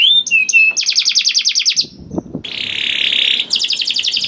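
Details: Canary song meant to trigger other canaries, heard as a quick whistled opening, a rapid rolling trill, a short gap with a low noise, then a steady buzzy high trill.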